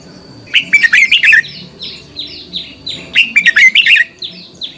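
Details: Red-whiskered bulbul lure bird singing competitively, used for training other birds: two brisk warbled phrases, each followed by a string of thin, downslurred whistles from another bird.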